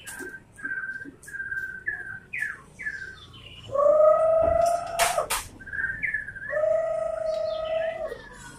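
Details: White-rumped shama song of short whistled phrases, some slurred up or down, then long rich steady whistles with clear overtones, broken by two sharp clicks before the full whistles return.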